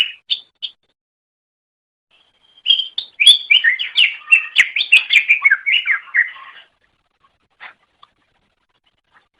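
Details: Greater green leafbird singing on a master training recording: a few short chirps, then a dense burst of rapid, varied, twittering and whistled notes lasting about four seconds, followed by scattered single notes and quiet.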